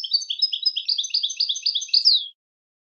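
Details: European goldfinch song: a fast, continuous twittering run of tinkling, liquid notes in a high register. It lasts about two seconds and ends with a brief buzzy slur. No other sounds are present.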